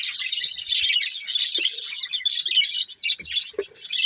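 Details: Colourful budgerigars, a breeding pair, keep up a busy stream of rapid high twittering and squeaky chirps, with occasional faint low taps in the background.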